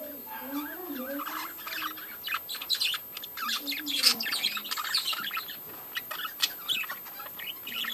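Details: Budgerigars in a breeding colony chattering busily: dense overlapping chirps, squeaks and warbled notes in quick succession, with a few lower wavering tones underneath and loud sharp peaks near the fourth second.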